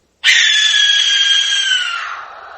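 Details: Barn owl, the white-faced owl of open prairie habitat in Texas, gives one long, harsh, hissing screech of about two seconds, starting abruptly, then slowly fading and sagging slightly in pitch; barn owl.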